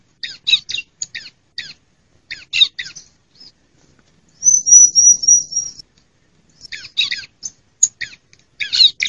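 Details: Female bar-winged prinia calling, used to lure wild prinias and stir lazy males into singing in forest and gardens; high, dry chattering bursts in rapid clusters, interrupted midway by a thin, buzzy, sustained trill lasting about a second.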